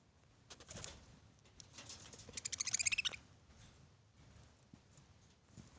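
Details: Budgerigars playing and talking to each other, chattering with quick, high, scratchy chirps and a brief burst of rapid warbling notes.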